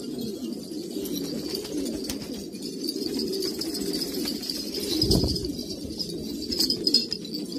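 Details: A group of traditional pure-bred pigeons in Kabul, Afghanistan, giving overlapping soft low coos in a constant murmur; a brief burst of wing flapping comes near the end, under a faint high hiss.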